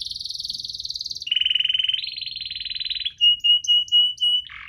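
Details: Lively canary singing in the chirping, rolling cuit-cuit ngerol style, used to coax slow-singing canaries into song. Sustained high rolled trills shift pitch in steps, then give way to clear whistled notes repeated about every third of a second.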